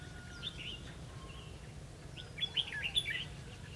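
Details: Red-whiskered bulbul used as a decoy for trapping, 11 November 2016: a soft opening note, then a quick cluster of bright chirpy whistled notes in the second half, over a faint low hum.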